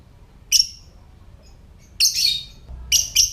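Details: Lovebird giving its ngetik or typing call, a recording meant to prompt other lovebirds to call and come into breeding condition: three short bursts of shrill, sharp high chirps separated by pauses, over a faint low hum.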